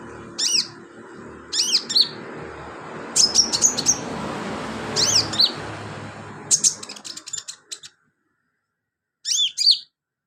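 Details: Sunbird singing actively for training other birds: a run of high, thin chirps and rapid trills in clusters roughly every second, then a short silence before one last burst.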